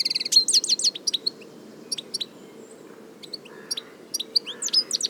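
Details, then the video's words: European goldfinch in nature singing bursts of sharp, high chirps and tinkling twitters, spaced by short gaps, ending with a quick descending buzzy phrase; faint low hum underneath. "صوت الحسون حسون ذهبي عروس التركمان طقطق شوك الحسون صافي من الطبيعة European goldfinch sound"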